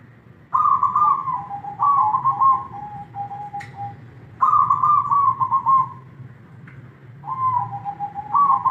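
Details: Zebra dove (perkutut) singing, the manggung song: rolling, trilled coo phrases of about one to one and a half seconds, each stepping down slightly in pitch, repeated with short pauses; low background hum.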